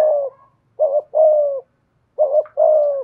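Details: Low hooting call of a decoy spotted dove in the 'giọng thổ' voice: a trailing coo, then two double phrases, each a short wavering note joined to a longer, slightly falling coo, in a quiet setting.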